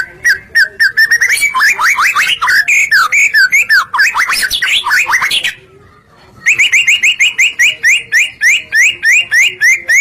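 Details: White-rumped shama in full, vigorous song as a lure for other shamas: dense tumbling whistles and chips mixed with harsher notes, a second of silence, then a fast regular string of repeated phrases.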